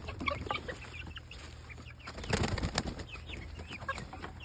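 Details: Chicken chicks peeping: scattered short, high, downward-sliding peeps, with a burst of rustling or flapping midway and a steady low hum throughout.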